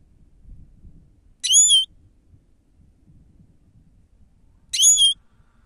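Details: Grey-crowned goldfinch used as a lure: two loud, clear whistled calls with a sharp upturned ending, about three seconds apart, over faint low background rumble.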